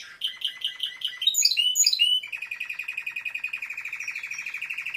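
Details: A Timbrado canary sings about six evenly spaced chirps, a burst of high twisting notes, then a long, fast, regular rolling trill held steady in pitch.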